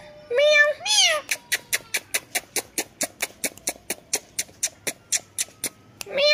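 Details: Pet talking ringneck parrot imitating a cat's meow, two loud rising-falling meow-like calls followed by a fast train of about twenty sharp clicks, then another meow starting at the end.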